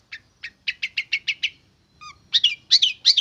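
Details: Young long-tailed shrike caught wild and tamed over roughly three months: a row of short rising notes, a brief pause, then loud harsh chattering phrases.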